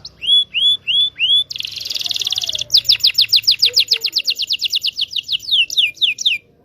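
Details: Canary singing a long rolling song meant to prompt young canaries learning to sing: four rising whistled upslurs, a dense buzzy roll, then a long fast run of repeated downslurred notes.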